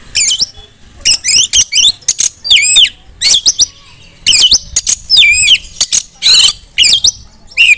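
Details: Female Oriental magpie-robin calling other magpie-robins to sing loudly: loud bursts of high whistled notes, swooping up and down, mixed with harsh rasping chatters, arriving in quick, uneven clusters with brief pauses.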